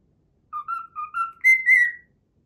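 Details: A cockatiel whistles a brief fragment of the learned Pythagora Switch theme: four short tonal notes stepping gently upward, followed by two louder, higher held whistles that slide slightly downward.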